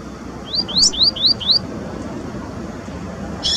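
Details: Sporophila caerulescens, the double-collared seedeater, singing in Brazilian nature: a single run of five clear rising whistled slurs delivered quickly, then a brief buzzy note after a pause, over soft background noise.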